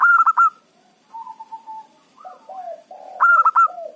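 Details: Local zebra dove used to lure wild rivals into traps: a stuttering burst, a long level coo, bending and falling low coos, then another loud clipped burst with trailing coos.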